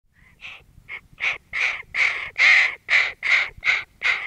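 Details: A hooded crow (Corvus cornix) gives a run of about ten harsh, hoarse caws, two or three a second, growing louder through the series.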